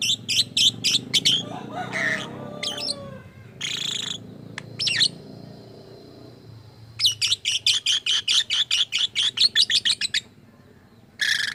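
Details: Lovebird with unusual sounds, said to imitate human speech: bursts of rapid high chirps, a harsh rasping stretch and a thin steady whistle, then a long fast chatter of sharp clicks before silence and a final burst.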